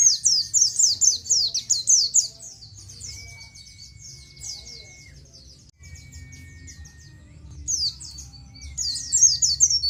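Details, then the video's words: Oriental white-eye nGalas song for training captive birds: an opening rush of high, rapid chirps that fades into soft twittering and near quiet, then resumes with brisk high notes at the end; faint steady tones throughout. "suara burung pleci nGalas full materi. ampuh buat masteran burung pleci"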